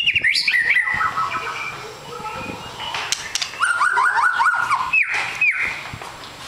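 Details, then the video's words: White-rumped shama, a fighter bird, singing varied whistled phrases: slurred notes near the start, a rapid run of repeated rising whistles midway, then two sharp upslurred whistles, with faint background noise. "MURAI BATU EKOR PANJANG SUPER FIGHTER"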